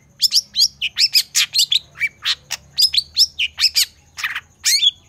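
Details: Energetic long-tailed shrike song meant for tutoring reluctant shrikes: a steady series of shrill, rising-then-falling chirped notes about three per second, some buzzy, with a few dropping whistles near the end against quiet background hum.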